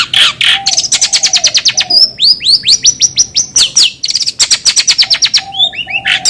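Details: Long-tailed shrike song used to prompt another bird into singing: fast runs of clear rising whistled notes and sharp chirps, with occasional soft low slurred notes underneath.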